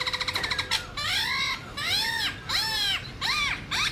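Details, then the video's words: Black-throated laughingthrush from a wild-style (giọng rừng) song recording meant to teach young birds: a fast rattling burst, then loud nasal, arched squawks repeated about every second. "Luyện khướu bạc má hót giọng rừng/Luyện khướu non học giọng rừng cực chuẩn"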